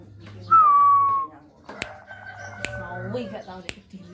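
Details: Hand-raised tame zebra dove, about one year old, giving a loud deep song; a clear whistled note sliding gently downward, then quieter sustained tones, sharp clicks and indoor noise.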